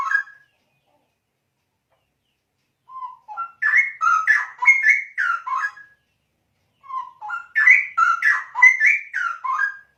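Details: Straw-headed bulbul song in two bursts separated by a pause of several seconds, each a quickly tumbling series of loud, liquid whistled notes that rise and fall in a burbling warble.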